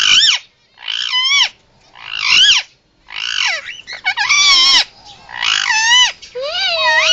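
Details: A pet Indian ringneck (rose-ringed parakeet), male, making what are called emergency sounds: loud, harsh, arching screeches about one a second in a steady run of seven, nothing else heard.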